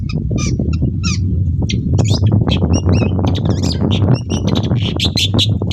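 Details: Long-tailed shrike singing in the morning as a lure for other shrikes: fast, varied twittering and chattering with squeaky whistled notes and rough bursts, over a steady low background drone.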